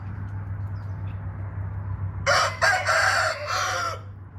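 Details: After a quiet stretch, a red junglefowl gives a full crow of several rough, ringing segments, the last one drawn out and fading. A low hum runs underneath.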